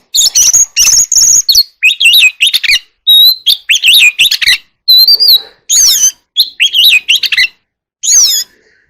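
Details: Oriental magpie-robin in contest singing, pouring out a fast, nearly continuous string of loud whistles, harsh notes and zigzag warbled phrases for about eight seconds.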